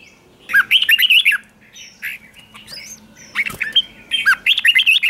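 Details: Red-whiskered bulbul lure song for calling wild birds: a warbled run of bright whistled notes, softer scattered calls and a rising whistle midway, then another lively warbled phrase at the end.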